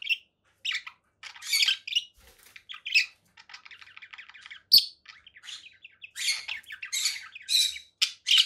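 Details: Conure calls come in separate scratchy squawks and short chattering runs, spaced by small silences, with a few loud shrill shrieks.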